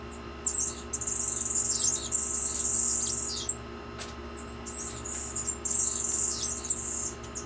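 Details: Yellow-faced grassquit at its nest holding two fertile eggs gives thin, very high, buzzy insect-like trills, each lasting a second or so, in several bursts over a steady low background hum.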